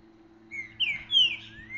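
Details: A caged green-winged saltator hung outdoors in the bush for training sings freely, marking its territory, with short, rich phrases of three or four clear whistled notes slurring up and down over a faint low hum.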